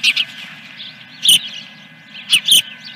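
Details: Dunrovin Ranch osprey, 3 May 2021, around 8 a.m., in the Fish #1 scene: a few short, high, slightly rough whistled chirps in pairs, about one second apart, over a faint steady hum.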